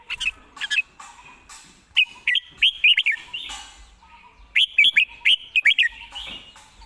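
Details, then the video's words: Red-whiskered bulbul perched and singing a quick, polished song: rapid runs of looping, warbled whistled notes in two bursts, each holding five or six bubbly phrases, with softer chirps in between. "ยืนร้องชิวๆ"สำนวนดี ปากไว #นกกรงหัวจุก #เสียงนกกรงหัวจุก"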